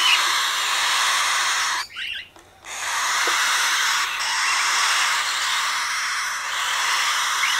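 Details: Cockatiel chicks, three hatchlings from a first breeding of a captive pair, in a wooden nest box. A steady broadband hissing rasp is heard, broken by a short pause and resuming just as rough and continuous.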